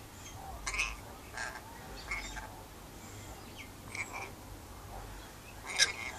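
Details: Pet rainbow lorikeet on a verandah during outside time, calling out to wild birds nearby: harsh, buzzy screeches in short bursts at irregular intervals over a quiet, faintly humming background.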